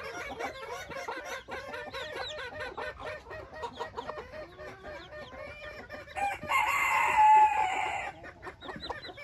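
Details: Newborn Silkie chicks outside for the first time, among 4 hens and 24 chicks: many overlapping high peeping calls, with a brief loud rustling burst toward the end.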